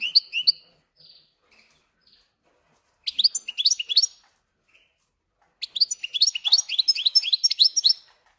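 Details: Goldfinch-canary hybrid singing: short bursts of rapid twittering and trilled notes, high and bright, separated by pauses of a second or two, with faint soft chirps between phrases; no other sounds.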